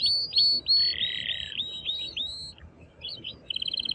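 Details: Excited male canary singing strongly to stimulate the female to mate and for chicks to hear: bright high whistled phrases and slurred notes, then a buzzy rolling tour, sliding notes, a pause, and a fast rattling trill.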